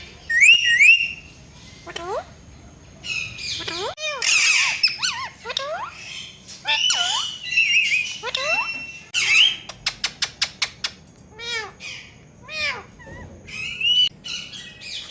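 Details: Rose-ringed parakeet kept as a pet ringneck parrot, calling with wavering whistles, swooping chirps and harsh squawks, plus a quick run of about eight sharp clicking notes midway.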